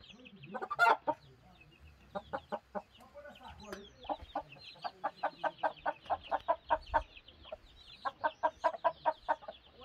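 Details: Hen in broody state with a sharp cluck, a pause, then scattered clucks building into a quicker rhythmic series of short, even notes about three per second, ending in another tight burst.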